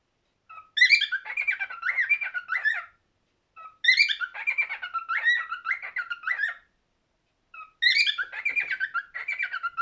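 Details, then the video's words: Cockatiel singing indoors: three bouts of warbled, whistled phrases, each opening with a short soft note then a sharp rising chirp, followed by a wavering run of notes lasting about two seconds, separated by short pauses. "Best Cockatiel singing"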